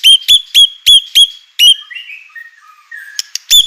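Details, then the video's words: White-rumped shama singing to provoke rival shamas: six loud, evenly spaced whistled notes, followed by soft lower warbling phrases and a final sharp note. "murai batu gacor AMPUH UNTUK pancingan murai batu agar emosi JADIKAN burung murai batu gacor"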